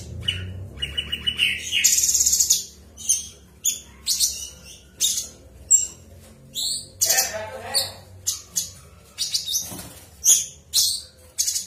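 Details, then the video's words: A bulbul (cucak cungkok) sings loudly and without pause, a rapid run of bright, chattering and whistled bursts, several each second, mostly high in pitch. "suara burung cucak cungkok ngebren"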